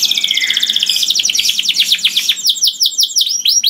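A canary sings a loud, continuous song of rapid high trills and buzzy rolls, shifting into a run of quick descending chirps.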